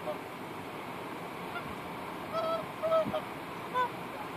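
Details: A tundra swan near Stavanger, Norway, on 8 August 2015 gives a few soft, mellow honking notes, short and slightly nasal, spaced about a second apart over a steady low background hiss.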